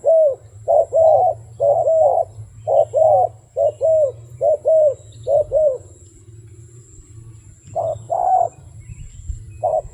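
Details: Repeated paired coos from a wild dove, a clipped note then a drawn-out falling one, delivered rapidly for six seconds, a pause, then resuming; steady low rumble underneath.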